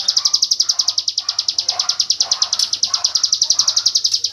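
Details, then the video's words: Hill prinia's 'tembakan AK47' song, used as training audio for white-rumped shamas: a fast, unbroken chain of high, sharp notes, with softer lower chirps from other birds scattered underneath. "Suara burung ciblek gunung tembakan AK47"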